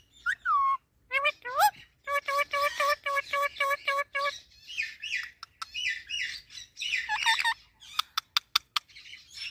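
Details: Talking Indian ringneck parakeet mixes upward-swooping whistles with a rapid run of clipped, speech-like syllables, then raspy murmurs, a few warbling notes and sharp clicks near the end.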